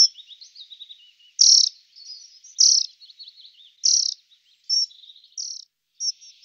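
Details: Dunnock calling: loud, short, high piercing notes repeated roughly every second, with faint, thin trilling notes between them; otherwise quiet.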